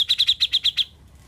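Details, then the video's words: Grey-cheeked bulbul, known locally as cucak jenggot, described as a once-mute bird now singing vigorously: a fast even run of seven sharp high chips, evenly spaced, ending abruptly before quiet background hum. "Cucak Jenggot Bisu Jadi Gacor"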